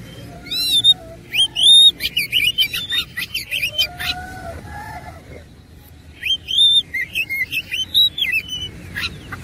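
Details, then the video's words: Fighting-mode song of an oriental magpie-robin with lavish 'isian' fill: looping upswept whistles and clipped chirps, a lower drawn whistle around the fourth second, a short lull, then more curling phrases. "KACER ISIAN MEWAH NGOTOT GACOR TARUNG"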